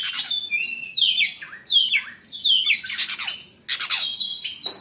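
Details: After sunbathing, an oriental magpie-robin sings a lively run of clear downward-slurred whistles mixed with harsh squawky bursts. The notes come quickly and irregularly, with one brief pause near the end.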